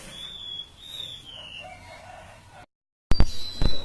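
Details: Siur laut bird singing actively: high, slurred whistles that dip and waver, then a brief silence and loud knocking handling noise.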